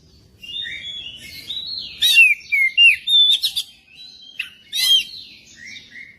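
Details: Magpie-robin singing as a prompt track to get a captive bird singing: quiet chattering opening, then a burst of loud slurred whistles and sharp chips, pausing before a final bright rising-falling phrase.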